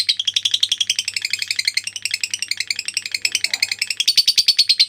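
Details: Lovebird ngekek, a long chattering trill used as a tutor recording: dense run of high, scratchy pulses that waver in pitch, growing louder and sharper in the final second.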